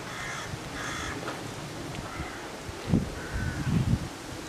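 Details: Australian wood duck (Chenonetta jubata) at Slimbridge giving four drawn-out, nasal, mewing calls about a second apart, over low rumbling wind or handling noise.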